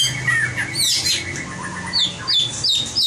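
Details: White-rumped shama in a competition singing drill: a falling whistle, rich high swoops, then repeated sharp upslurred notes roughly every third of a second, with a low steady hum behind.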